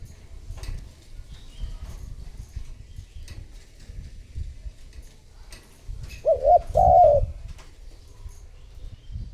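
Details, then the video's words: A spotted dove kept as a lure to attract wild doves gives one low coo phrase late on: two brief hoots and a longer wavering note, after soft ticking and rustling noises. "Cu gáy mồi thúc gù gọi bổi / Suara Burung Tekukur Gacor Terbaru 2026 Paling Ampuh Untuk Pancingan"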